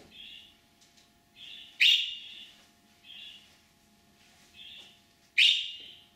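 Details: Caged budgerigar giving its calling sound when separated from its companion bird or on hearing another budgie: short, harsh, buzzy chirps every second or so, with two louder, sharper screeches over a faint low hum.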